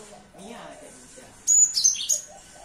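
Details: Cinereous tit singing in the morning: a burst of sharp, very high whistled notes lasting under a second, following a quiet stretch with faint lower background sounds.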